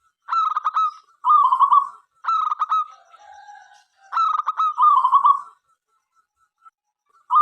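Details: Local zebra dove in lively song to invite other doves to sing: three phrases, each a fast burst of clipped coos followed by a purred trill, separated by brief pauses.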